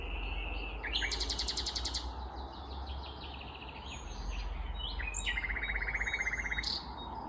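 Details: Vagrant common nightingale singing on a May 19, 2021 morning in Kvarnbo, a suburb of Uppsala, Sweden: loud, rapid rattling trills and clear whistled notes in separate phrases, over steady low rumbling background noise.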